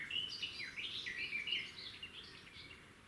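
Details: A red-backed shrike (Lanius collurio) at its nest by a road, 13 June 2016, gives a steady stream of scratchy, chattering high notes, quick and jumbled, over a low background rumble.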